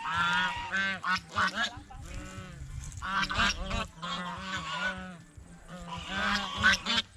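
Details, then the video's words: Geese eating bread and fresh vegetables at a fish pond give loud, nasal, harmonic honks in quick, overlapping bursts, sometimes several together, with brief quieter gaps. "เสียงห่านร้อง ห่านกินขนมปังกับผักสดในบ่อปลาอย่างเอร็ดอร่อย | Goose Sound Effects"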